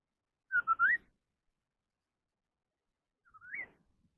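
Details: Contest song of a Chinese hwamei, a fighting-style singing duel. A triple whistled phrase ending in an upward slur is followed after a long pause by a softer rising whistle.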